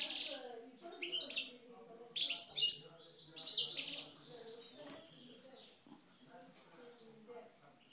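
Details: Caged Algerian parva European goldfinches, described as aggressive, give quick bursts of bright, liquid twittering and tinkling notes over about four seconds, then fade; low indoor murmurs sit faintly beneath.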